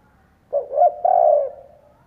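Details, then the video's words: Caged spotted dove decoy cooing to entice wild birds: one low phrase of two quick notes followed by a longer, steady, fading coo. "Chim cu gáy kích bổi , Cu gáy kích bổi mở là gáy"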